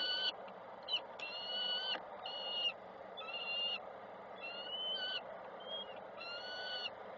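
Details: Peregrine falcons at a nest in Koszalin, Poland, on 7 June 2024, with adults arriving and departing: a series of about eight harsh, nasal, drawn calls, each under a second, over a steady background hum.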